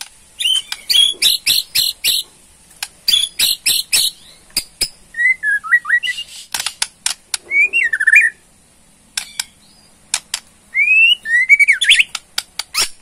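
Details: A Borneo white-rumped shama mixes its ketrekan rattle, used to provoke a reply, with song: repeated buzzy rattle bursts, clicks, and short looping whistled phrases across thirteen seconds.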